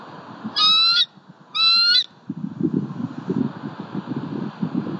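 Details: Bald eagle (female) giving two high, thin, squealing calls about a second apart as she arrives at the nest tree after the male's afternoon squirrel delivery, followed by a low rumble of wind or buffeting.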